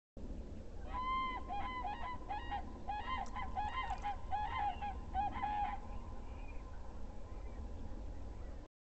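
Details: Common cranes in Estonia on 6 April 2019 at 22:19 give a quick series of loud, rolling, trumpeting calls for about five seconds, several birds overlapping, over a steady low rumble of wind.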